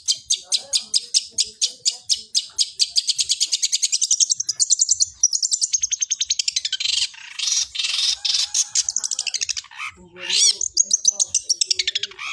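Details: Long-tailed shrike (cendet) giving gereja-style fighting song: a long, fast run of dry rasping pulses, roughly four per second, merging into dense scratchy chatter with a few sweeping whistled notes near the end.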